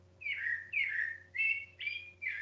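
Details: A sabiá thrush, apparently agitated at being kept from nesting in a flower pot, gives a run of five loud, slurred whistles, each about a third of a second and falling slightly, repeated at a quick, insistent pace over a low steady hum.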